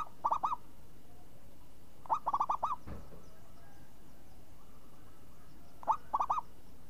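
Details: A champion zebra dove gives a crisp, swinging song in three short phrases, each a stutter of three to five bubbling, arched coos about two seconds apart. A single click falls between phrases over a quiet background hum.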